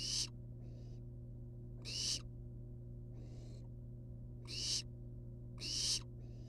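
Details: Rhythmic series of harsh, snoring hisses from wild barn owl nestlings outside their box, loud bursts near every two seconds, quieter hisses in between, low hum behind.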